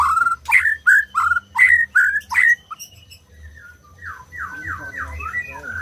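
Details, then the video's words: White-rumped shama delivering six or seven loud whistled notes with clicking attacks, then softer rising and falling warbles toward the end. Faint low hum in the background. "SUARA MURAI BATU BUAT BURUNG MACET BUNYI"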